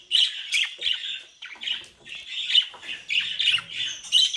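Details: Captive bred budgerigars in the Den Haag region, South Holland, Netherlands, described as mischievous, give dense scratchy squawks and chirps in quick overlapping bursts with brief pauses between phrases.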